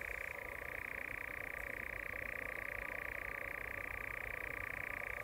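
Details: Courting European nightjar at dusk giving a long, unbroken churr, a fast even purring trill held at a constant pitch throughout, with no other clear sounds.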